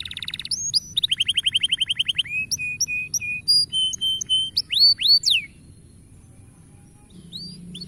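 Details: Canary song played to get young canaries singing: a rapid rolling trill, then short flat whistled notes repeated in sets, a few steep slurs, followed by near silence with faint background hiss.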